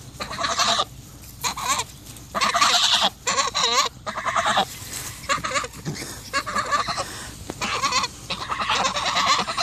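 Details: Pair of Sebastopol geese guarding their owner against dogs, giving loud, harsh, repeated honks in irregular clusters over several seconds, with a person's voice and a little background noise between the calls.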